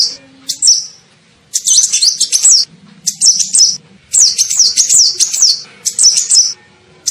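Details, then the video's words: Sunbird, known locally as kolibri ninja, in a lure recording used to attract birds: rapid, very high, thin twittering bursts of chirps and zigzag notes, each lasting about a second, separated by short pauses, with faint low background rumble. "SUARA PIKAT KOLIBRI NINJA"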